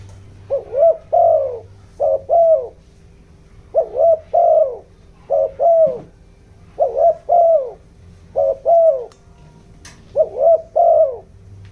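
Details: Spotted dove decoy bird in the 'giọng đồng' voice style, used to excite wild doves: low hollow coos in doubled notes, groups repeating about every one to two seconds, over a faint steady hum.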